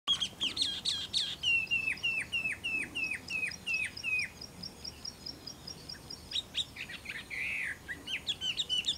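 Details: A Taiwan hwamei recorded at Caonanpo, Taiwan, on 10 April 2016 sings loud, varied whistles, then a quick run of about ten clear down-slurred notes, then more rich phrases.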